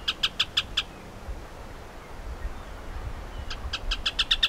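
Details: Rufous hornero at Lomas de Arena Park, Santa Cruz, Bolivia, gives loud ringing notes repeated about six per second, then a pause and a second quickening burst, over a low background rumble.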